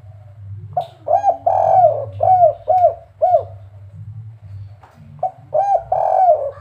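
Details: Spotted dove from Semarang, a prized kuk-3 songster, giving soft low cooing phrases: a drawn note then rapid bouncing coos, pausing and repeating, over a steady low mechanical hum.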